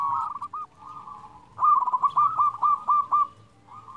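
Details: Loud-voiced local zebra dove, singing freely, recorded as a master song to rouse lazy doves. A soft opening run of coos gives way to a louder, rhythmic series of about eight bouncing coo notes, over a low background hum.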